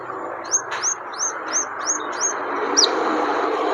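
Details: Scarlet minivet singing in the wild: a run of seven high, thin, down-slurred whistled notes spaced about a third of a second apart, over a steady hiss of background noise.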